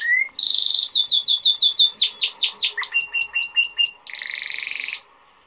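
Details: Canary male's tutoring song, a golden-throated bird sung for young canaries and to excite females: rapid descending slurred notes, then repeated two-part whistled chips, ending in a dense buzzy roll before stopping.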